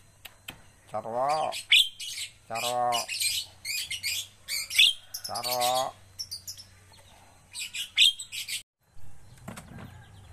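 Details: Javan myna being trained to sing frequently: three nasal, quavering squawks among bursts of scratchy high chatter, fading to quieter rasps, then a short low thump near the end.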